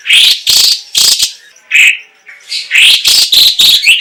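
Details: Chinese leafbird song, a loud run of bright, buzzy harsh notes repeated about every half second with short gaps and a clearer whistled note midway.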